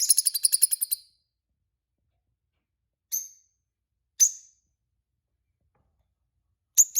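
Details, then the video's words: A pair of peach-faced lovebirds kept as pets; a fast train of about ten sharp, high chirps in the first second, then single short squeaky chirps spaced a second or two apart. "Peach-faced Lovebird Singing & Chirping Sounds"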